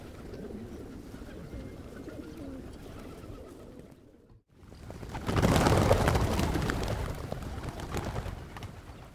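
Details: Hundreds of pigeons at Pigeon Valley in Cappadocia, Turkey, with several other birds: low murmuring coos under a steady crowd hum, then a brief hush and a loud burst of rushing wing flapping.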